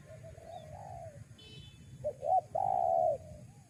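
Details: Spotted dove cooing to draw in wild doves: a faint wavering coo, then two brisk rising-falling notes and a strong prolonged coo, with constant low-pitched rumble beneath.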